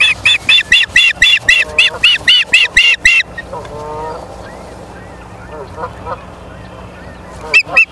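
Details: Ospreys on a live nest cam at Charlo, Montana, 30 August 2023, give a fast series of about eleven loud, piercing whistled chirps in three seconds. Softer, lower calls and a few final sharp chirps follow.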